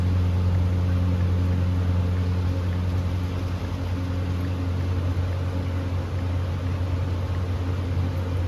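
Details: A continuous low mechanical hum drones throughout, with no bird or other animal sound.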